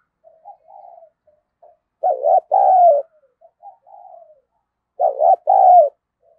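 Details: Spotted dove decoy calling to incite fighting: soft, low murmuring notes lead into two loud two-part coo phrases, each a stuttered note and a drawn-out falling coo.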